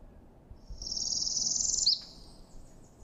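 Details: A Northern Parula gives its more commonly heard call, a high, buzzy trill that rises like a zipper being pulled up, about a second long and ending in a sharp upward flick; possibly the most common local breeding warbler.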